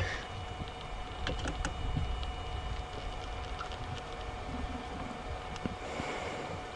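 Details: Low vehicle rumble during a sunset safari drive, with faint tapping, clicks and a steady hum, and no animal calls.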